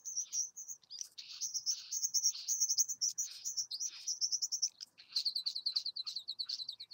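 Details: A satin bowerbird visiting a bower gives a high, fast, buzzy chatter of run-together notes, then a quick series of sharp, slightly falling chips.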